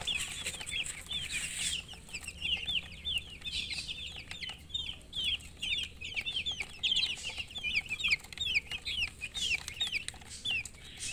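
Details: Baby chicks in full chirping chorus, countless quick high-pitched peeps rising and falling, crowded together without pause.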